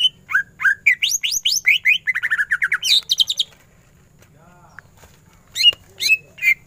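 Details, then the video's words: Greater green leafbird pouring out ngentrok-style song with full bursts: a fast stream of rising and falling slurred whistles and rapid trills for three seconds, a pause, then more sharp whistled notes. "Cucak ijo gacor full tembakan ngentrok"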